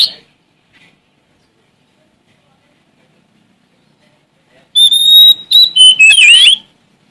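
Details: Oriental magpie-robin from Sumatra singing to challenge an opponent: after long silence, a loud burst of pure sustained whistles breaks into rapid, twisting, slurred notes for about two seconds.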